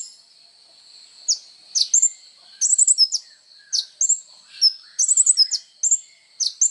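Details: Kolibri ninja sunbird song meant for training songbirds: after a quiet start, shrill clipped chirps arrive in small clusters and singles, with high sliding whistles mixed in.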